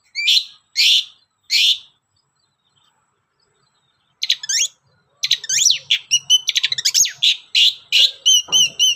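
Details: Long-tailed shrike song used as a lure to make other shrikes sing: three harsh rasping notes, a pause, then a fast, varied stream of whistles, clicks and bending notes.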